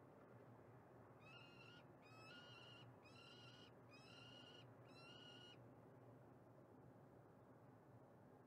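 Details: Female peregrine falcon in Montreal, Canada, giving a run of five harsh, nasal cries in quick succession, each roughly half a second long, then falling silent amid a constant low rumble.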